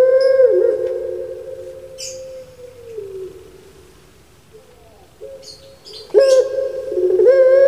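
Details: Household puter pelung, a domesticated Barbary dove often thought to sound like someone crying: a long level coo that sinks and trails off into quiet, then a renewed rising coo; brief high chirps from other small birds break in twice.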